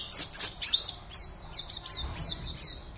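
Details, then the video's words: Caged white-eye (pleci) entered in an online singing contest from Pontianak, West Kalimantan, Indonesia, sings high, thin chirped notes: a jumbled opening, then clear downslurred phrases repeated about every half second. "LOMBA PLECI ONLINE 52 - Aksi Pleci"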